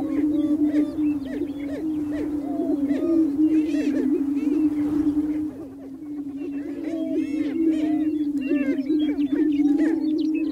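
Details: Greater prairie-chicken males displaying to females on a spring lek on open prairie boom together in a steady, low, hollow moaning drone, over rapid whooping and cackling calls from many males.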